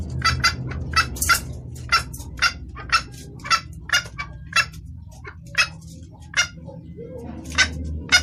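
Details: Hen red junglefowl calling for a male, with a clear voice used for luring cocks. Sharp clucks come in loose bursts, some paired, with a brief pause near the seventh second, over faint low background hum.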